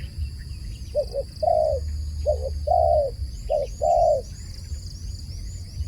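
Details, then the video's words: Dove calling: a pair of short, low coos followed by a longer drawn-out coo, the phrase repeated three times in six seconds, over a steady high whine and faint twittering of small birds. "សំឡេងលលកហៅបរច្រើន The sound of a dove calling"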